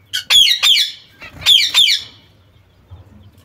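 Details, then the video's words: Zebra finch youngsters with their mother, caged: two pairs of loud nasal, trumpet-like honks with bright overtones, separated by a short pause, then quiet low room noise. "Diamantini mandarino novelli con la loro mamma"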